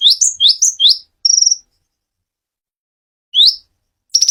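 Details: Clear, lively song of a dacok konin: a quick run of four rising upswept whistles, then a short buzzy trill. A pause follows, then one more upsweep and another trill beginning.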